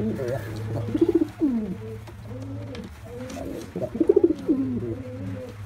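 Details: Male white pigeon performing two clear bouts of throaty, pulsing coos with falling tails, separated by quieter murmuring and a constant low hum.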